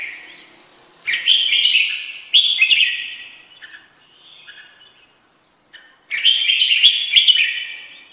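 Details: Red-whiskered bulbul singing: three bursts of bright, quick warbled phrases pitched high, with sharp note onsets, separated by pauses holding a few softer scattered notes.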